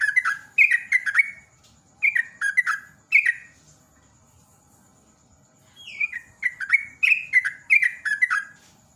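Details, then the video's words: Trucukan, or sooty-headed bulbul, singing the rapid 'ropel' style meant to draw other birds into song: two bursts of bright, chattering warbled notes separated by a quiet gap of about three seconds. "JOGJOG /TRUCUK ROPEL NEMBAK GARUDA"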